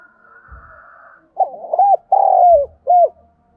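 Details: Vietnamese spotted dove of the Thổ strain kept as a lure bird, giving a single short phrase of mellow throaty coos, a stuttered start, one long downslurred note and a brief closing coo, after a faint wavering tone and a low thud.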